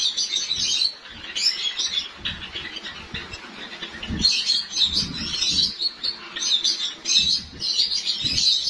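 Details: Captive white Java sparrows in Lahore, with the breeding season about to start, chirp in bright, high bursts of clustered chips repeating irregularly every second or two, with soft low bumps and rustling beneath.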